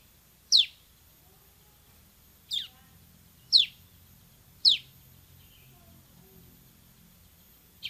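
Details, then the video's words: [7, 'Bar-winged prinia giving isolated, single, sharp, high downslurred chips about a second or two apart, five in all, over a faint low hum.'] "MASTERAN CIBLEK SEMI GACOR VOLUME TEMBUS"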